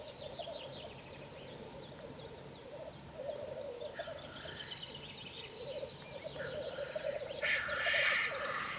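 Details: Black grouse at a lek, heard from a hide where the birds gather from about 9 pm until leaving around 9 am. They give continuous low, bubbling cooing, broken near the end by a harsh hissing sneeze, while small birds twitter high above.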